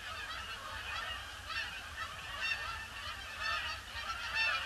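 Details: Winter Boxing Day, 26 December 2015, grey sky: a huge influx of Canada geese circling the pond before landing, their many honks overlapping into a loud, ragged chorus that swells toward the end.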